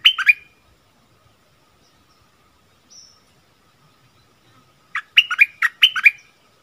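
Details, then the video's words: Bulbul facing off against a wild bird, 27 March 2021: a short chirpy phrase, a long pause with a faint high note, then a quick series of loud, clipped warbling notes. "เสียงต่อนกดอกแตงEp.39 เปิดดอกดวลเดือดกับนกป่า Burung merbah lekir"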